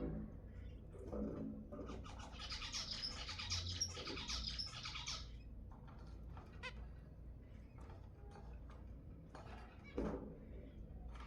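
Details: Zebra finch sounds played to stimulate mating: a dense burst of buzzy, crackling high notes lasting about three seconds, then scattered short nasal calls over a steady low hum.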